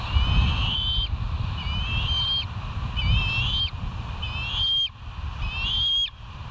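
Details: West End bald eagles on a live nature cam, 25 July 2023, 05:10. Five thinner whistled calls, each with a wavering start and a short rising tip, spaced about every second, over a steady low rumble.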